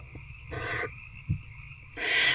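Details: At a nest box after dark on 19 February 2024, an adult barn owl feeds its older owlet a rat. Two rasping hiss bursts sound roughly a second and a half apart, with a soft thump and constant electrical hum.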